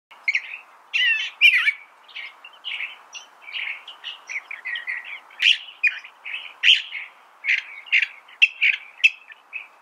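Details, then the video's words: California thrasher singing a long, varied run of short phrases, some harsh and chattering, some sweet and warbled, each note quickly giving way to a different one with barely a pause between. "California Thrasher Bird Sound"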